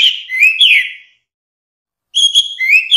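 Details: Orange-headed thrush song used to tutor songbirds: a fluid phrase of looping whistles, about a second of quiet, then another bright, gliding whistled phrase.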